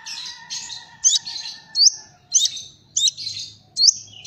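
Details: Kolibri Ninja sunbird in 'Cililin'-filled song, delivering sharp high upslurred chirps roughly every half second with short buzzy tails, while a faint steady whistle runs underneath.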